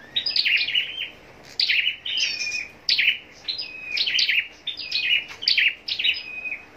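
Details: Contest scarlet-backed flowerpecker in captivity, singing lively high twitters: rapid chips ending in thin level whistles, around seven bursts in close succession.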